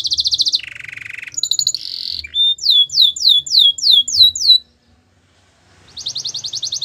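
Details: Gloster canary singing in segments: buzzy trills at shifting pitches, a string of loud swept notes, a second of silence, then a high rattling trill.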